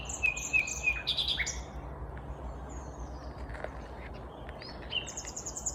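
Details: Common Nightingale, vagrant, singing in the morning at Kvarnbo, Uppsala, Sweden, May 2021; a string of short, slurred whistled notes and a buzzy phrase, then quieter scattered notes and a final high whistle.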